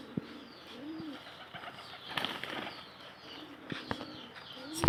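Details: Local desi pigeon giving low, soft rounded coos, each rising then falling, a couple of seconds apart, amid sharp clicks and bursts of wing flapping.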